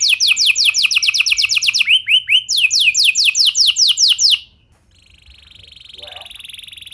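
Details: Singing canary used to coax other canaries into song: quick descending trilled notes, a few rising slurs, another fast trill, then silence followed by a faint steady high hum.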